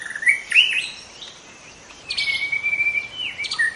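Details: Wild young White-rumped shama in forest, opening with bright slurred whistles, a short pause, then a long level whistle followed by quick descending notes.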